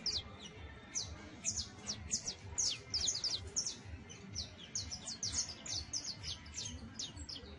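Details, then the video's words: First songs of a young saffron finch, a continuous chatter of high, sharp slurred chirps in uneven bursts, with faint low background noise. "PICHON DE CANARIO CRIOLLO SOLTANDO SUS PRIMEROS CANTOS, TRINES, CHARRASQUEANDO"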